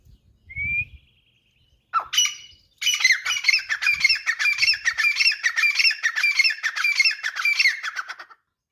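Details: Female grey francolin calling: a short rising whistle and a single squawk, then a rapid run of harsh, scratchy repeated notes lasting about five seconds, with quiet surroundings.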